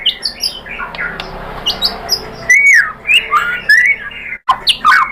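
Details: Lure song of the white-rumped shama (murai batu), played to provoke other shamas to sing: harsh squawky notes mixed with loud downslurred whistles, a sudden silence near the end, then more whistles.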